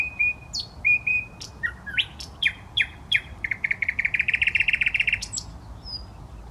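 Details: Nightingale in a Saint Petersburg park on the Smolenka: long pure whistles, then repeated notes accelerating into a loud rapid rolling trill of about twenty units, ending with a high whistle, over faint background noise.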